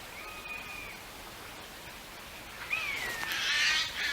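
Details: Common buzzards in woodland on the outskirts of East Kilbride, Scotland, on a sunny late-August morning give two drawn-out mewing calls, the second rising then sliding down, about two seconds apart, followed by a burst of rustling noise.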